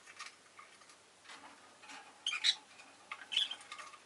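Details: Rosy-faced lovebird giving a few shrill, high chirps against a hissy background, the two clearest squeaks about a second apart near the end.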